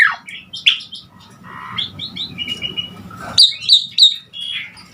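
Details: Asian pied starling song, used to train other songbirds: soft mixed whistles and chirps, then three loud sharp notes in quick succession, followed by quieter warbling.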